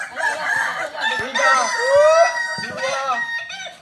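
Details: Kokok Balenggek roosters at a joint practice gathering in Solok: long, multi-note crows with stepped, rising and falling tones, overlapping one another, with faint human voices behind.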